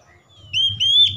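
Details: Oriental magpie-robin, known locally as kacer, giving a brief high whistled note that swells into a loud, sustained, slightly rising whistle with a short break near the end.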